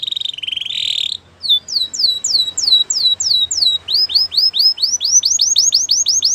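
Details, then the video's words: A short harsh rolled phrase from a canary gives way to slurred downward whistles, then faster arched notes that climb and drop, repeated several times a second in a powerful training song. "Canary's most powerful song for training | Canary sounds"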